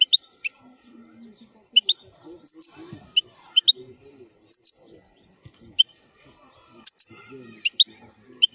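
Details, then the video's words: European goldfinch of the khalwi wild type, recorded for tutoring young birds: scattered short, high double chirps spaced irregularly over a quiet background. "الحسون الخلوي تغريد قوي صوت عالي"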